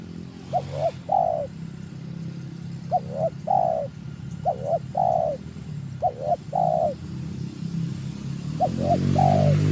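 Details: Spotted dove, described as very fierce and newly trained, used as a lure for wild doves: groups of three soft coos, two short notes then a longer one, repeated every two to three seconds over a low rumble of passing traffic.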